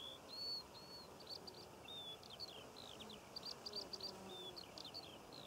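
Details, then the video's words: Eurasian skylark over Cornwall's poppy fields in June, delivering a high, varied outpouring of clear whistles, short chirps and quick flourishes, somewhat distant against constant low ambient noise. "Skylark Bird Song and Nature Sounds - Birds Singing Over The Poppy Fields of Cornwall"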